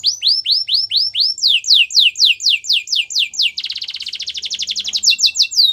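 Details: Singing canary used for song training. Series of arched whistled syllables gives way to a faster rolling trill, then returns to looping, downward-sweeping notes.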